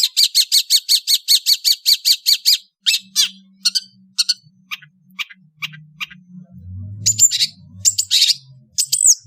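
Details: An Indonesian long-tailed songbird in the afternoon opens with a fast burst of sharp, high chirps, about five a second, then shifts to scattered buzzy notes and thin whistles over a faint low hum.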